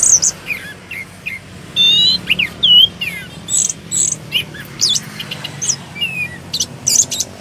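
An orange-headed thrush sings a rapid, unbroken run of varied high whistles, slurred notes and chips, with a faint low hum in the background.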